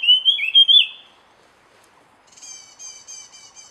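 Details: Wild jungle flycatcher delivering one loud, slurred whistled phrase of wavering notes. It is followed by a series of softer, nasal, buzzy repeated notes from another caller.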